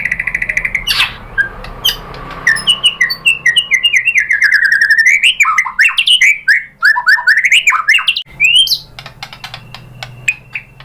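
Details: White-rumped shama (murai batu) song used as a lure: a sustained whistle, then a long rising and falling chain of rapid whistled notes, followed by faint twittering.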